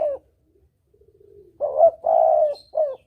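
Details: Spotted dove double-kuk lure coo used for hunting: a faint low trailing note, then a short coo, a long level coo and a clipped closing note.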